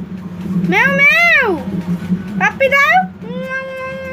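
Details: Pet parrot talking in Bengali: two drawn-out, arching voiced phrases, then a short broken phrase and a steady held tone, all over a constant low electrical hum.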